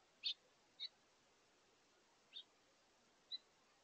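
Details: House finch pair at a backyard feeder taking their last meal of the day on 7 August 2023, calling back and forth while feeding. Four short, high chirps, irregularly spaced, over a quiet background.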